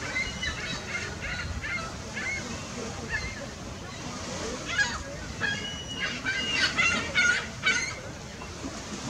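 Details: Mute Swans (Cygnus olor) preening and swimming, with tagged Trumpeter Swans passing, give short, nasal honking grunts in irregular bursts, several in quick succession, over a steady background of lapping water.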